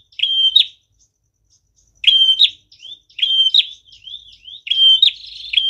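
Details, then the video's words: A visiting Bar-winged Prinia in full song gives loud, shrill chirping phrases of a few ringing, slightly buzzy notes, repeated every second or so with short gaps between bursts. "Prenjak tamu gacor"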